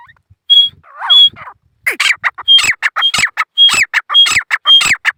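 Grey francolin giving loud, harsh repeated calls, each a grating burst with a sharp high whistle, about two per second, building into a rhythmic series.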